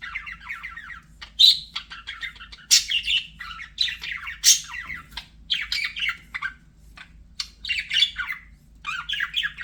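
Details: Budgerigar kept as a pet, chattering in quick bursts of squawky, buzzy notes broken by short pauses, some sharp high chirps standing out, over a faint low electrical hum.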